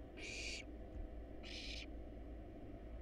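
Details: Two strong, noisy hissing screeches, each near half a second, from hungry wild barn owl nestlings fed a rat and a rabbit in a nest box, with a steady background hum.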